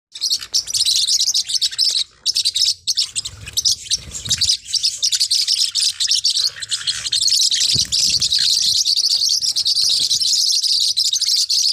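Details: Forpus parrotlets, small hook-billed parrots, in a dense, continuous chorus of high, sharp chirps and twitters with hardly a pause, plus a few faint low thumps.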